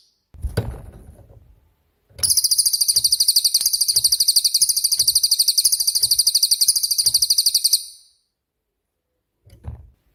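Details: Cililin, 'tembakan' (shooting) singing type, used to tutor songbirds such as magpie robins: a low knock, then one sustained very high, rapid buzzing trill of evenly repeated pulses lasting about five and a half seconds.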